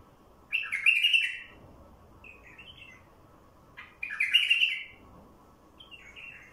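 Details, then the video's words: Wild bulbul song played to draw out wild bulbuls: two bright, warbling phrases about three seconds apart, each trailed by a shorter, softer note, over a faint low hum. "تغريد بلبل وحشي"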